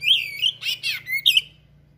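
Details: Oriental magpie-robin in full song packed with rare imitated material: loud slurred whistles and harsh buzzy notes in a quick run of five bursts, then silence, with a faint low hum beneath.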